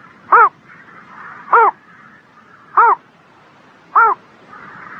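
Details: During a spring morning, a bird gives four short, harsh, arching calls at a steady pace of roughly one every 1.2 seconds, with soft ambient murmur.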